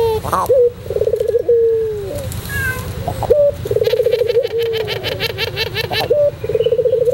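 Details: White Barbary dove of the long-cooing pelung type, singing on a master recording for training birds. It gives repeated low, wavering coos and drawn-out notes. A sharper, rhythmic, harmonic-rich calling overlaps the middle.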